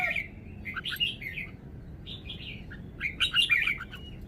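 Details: Red-whiskered bulbul delivering a good song phrase: quiet, soft warbled notes in short groups, ending with a slightly louder chattering burst.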